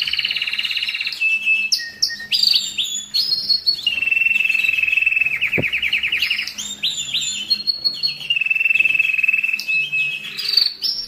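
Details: Canary singing to stimulate males and ready females for mating during molting and rest: bright whistled phrases alternating with long rolling trills, fast repeated notes several times a second, and one sharp click midway.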